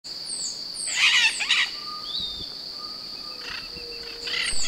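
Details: Yellow-collared macaw (Primolius auricollis), call.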